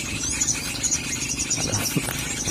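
A young olive-backed sunbird gives very high, thin, rapid twittering notes in quick bursts over steady background hiss.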